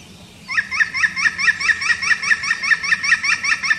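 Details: European green woodpecker calling: after half a second of quiet, a loud, even series of ringing notes with a rising lilt, about four per second, roughly fifteen in a row, against a quiet background.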